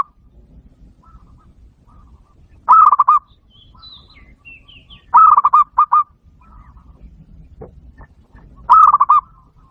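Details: Zebra dove, locally bato bato, calling as a lure for bird trapping: three rapid rolling coo phrases of clipped notes, spaced a few seconds apart, with faint high thin whistles from other birds in between.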